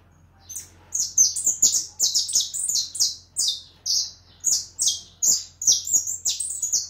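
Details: Leucistic white European goldfinch delivering bright, high-pitched twittering song: quick liquid chirps and buzzy notes strung together about twice a second, steady and energetic over a soft background hum.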